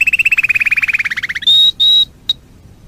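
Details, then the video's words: Canary of a choice breed singing a rolling trill that slowly drops in pitch, followed by two level, pure whistled notes and a short final note. "اروع وافضل سلالات طيور الكناري"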